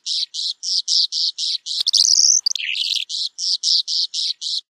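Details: Calandra lark song of steady, rasping buzzy notes repeated about four per second, interrupted midway by a rising whistle and a scratchy twitter before the rasping series resumes.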